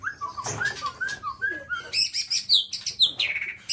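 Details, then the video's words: Black-tailed white-rumped shama of the Nias type with a varied song: mellow slurred whistles in a lower register at first, then bright, high, clipped whistles repeated in quick succession. "Murai batu ekor hitam||Nias raja"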